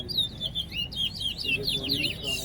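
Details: A chestnut-bellied seed finch sings in a bird-song competition at Soesdyke, Guyana: a fast, sweet warble of rising and falling whistled notes, with people talking faintly in the background.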